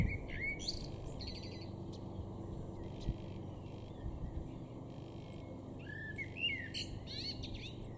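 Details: Common starling singing in a garden in Weener, East Frisia, far northwestern Germany, April 2022: a varied medley of clicks, rattling bursts, buzzy notes and sliding whistles, with low steady background rumble.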